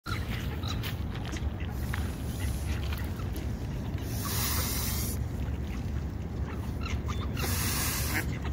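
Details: A hungry goose being hand-fed gives two long, breathy hisses, each lasting about a second, over a steady low rumble of wind and handling noise.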